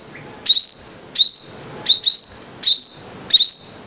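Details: A five-coloured sunbird sings five bright bursts, each a fast climbing sweep that levels into a shrill held note, spaced roughly every 0.7 seconds.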